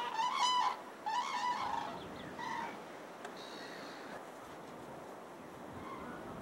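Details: Common cranes at their spring migration stopover in Falköping, Sweden, where thousands gather and mates bond by dancing; two loud, rolling trumpeted calls open, then one shorter call, before fading to distant quiet background.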